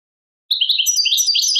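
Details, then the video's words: Brief stretch of European goldfinch 'tadmait' song from Algeria: after a short silence, a rapid run of high, jumbled twittering and chirping notes starts abruptly and continues to the end. "chardonneret chant tadmait"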